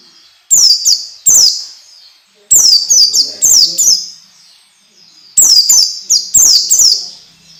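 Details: Training song of an orange-headed thrush for young birds: a pair of high falling whistles, then two longer runs of four rapid downward-slurred notes each, separated by quiet pauses.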